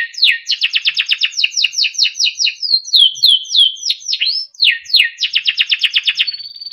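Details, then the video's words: Timbrado canary melodic song for training: long fast series of repeated falling chirps, slower slurred whistled notes in the middle, another rapid chirping run, and a thin sustained high note at the close. "Timbrado canary singing beautiful melodic songs for training and listening"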